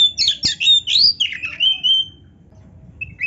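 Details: High, varied song of a kacer or oriental magpie-robin: quick scratchy chirps sliding into a long, wavering whistled phrase, a brief pause, then a short high note, with a faint low rumble behind.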